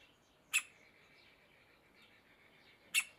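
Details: Middle spotted woodpecker chick peering out of a tree hole while calling; two sharp, short notes about two and a half seconds apart over a faint, steady thin tone, in a quiet setting.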